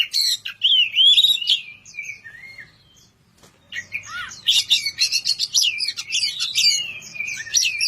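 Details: White-rumped shama (kacer) singing to call a rival: looping whistles and a falling phrase, a pause of about two seconds, then a dense, fast stream of scratchy chatter and sharp whistles.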